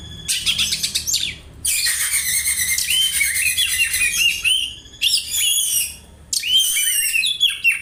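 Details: Oriental magpie-robin singing in imitation of a house sparrow, used as a tutoring recording: a dense, continuous run of high chirps and twittering notes, with brief pauses between bursts and a closing flurry of rapid, varied chips.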